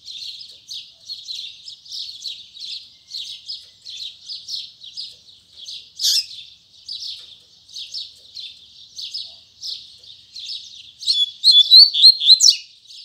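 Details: Double-collared seedeater opening its tui tui zel zel song in the morning. Short buzzy chirps repeat about four per second in a steady rhythm, ending in a loud burst of sharp whistled notes.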